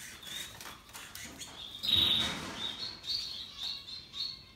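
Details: Russian yellow and Timbrado canaries singing happily: thin chirps and trilled notes near one high pitch, a louder sustained buzzy trill in the middle, then short bright phrases repeating every half second.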